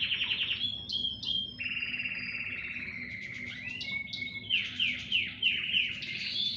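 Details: A chorus of several canaries singing: fast rolling trills, whistled notes and rapid repeated chirps in a high register, overlapping and continuous, with a faint low hum underneath.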